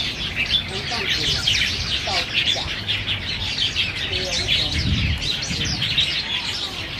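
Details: Several black bulbuls squabbling over banyan figs at Niaosong Wetland Park on 4 November 2015, Canon PowerShot SX700 HS; a busy chorus of harsh chirps and slurred whistles, a brief low thump near the fifth second.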